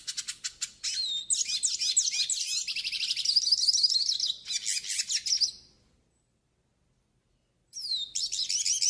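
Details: Training and warm-up song of a northeastern hooded siskin: rapid clicking notes lead into a long, warbling run of high twitters and buzzy trills, then a silence of about two seconds before the bird resumes.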